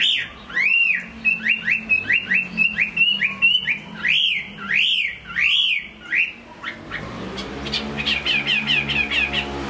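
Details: Chinese hwamei singing well, a bird from Hai Phong: clear arched whistles repeated in a rolling series, slowing into longer looping notes, then a rapid high rattling trill at the end.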